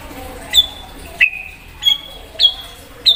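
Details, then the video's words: White-rumped shama in full song, meant to provoke an untrained shama: five clean whistled notes, each with a sharp onset, alternating higher and lower pitch and spaced about half a second apart, over a quiet background. "Murai Batu Gacor Memancing Emosi Murai Bahan"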